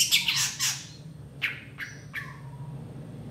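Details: Long-tailed shrike in gacor tembakan song for masteran training: a harsh, loud burst of scratchy notes, then a few sharp clicks and thin whistles against a faint hum.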